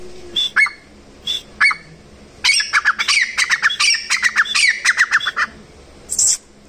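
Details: Wild grey francolin calling: a couple of separate squeaky two-part notes, then a long, loud run of harsh, scratchy notes repeated in fast succession for about three seconds. One last sharp note follows after a pause.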